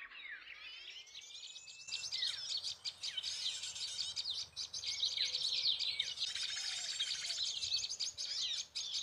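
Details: Prenjak lumut (prinia) lure recording played from a phone MP3 at low volume near the ground to draw birds into a trap: a soft rising whistle, then dense, rapid, overlapping high chirps and twittering trills throughout.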